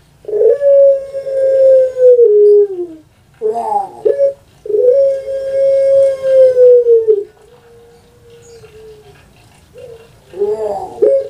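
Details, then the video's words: Well-kept puter pelung dove from Java, Indonesia, known for its long voice, repeats long sustained coos that fall at the end, separated and followed by throaty rolling, gurgled notes. "PUTER PELUNG SUARA PANJANG"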